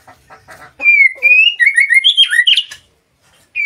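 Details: White-rumped shama song used as a master to stir other birds: soft chatter, then loud clear whistles, a level note followed by quick warbled rising and falling phrases, a brief silence and a final whistle.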